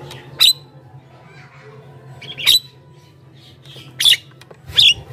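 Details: Javan myna song for luring wild birds and prompting caged ones to answer: four loud harsh squawks with whistled tones inside, spaced about one to two seconds apart, quiet hum behind.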